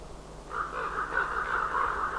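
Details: Common ravens waking on 5 March 2012, calling to each other as the day begins: a run of hoarse, throaty caws in quick succession, rising in loudness, over a steady outdoor background hiss.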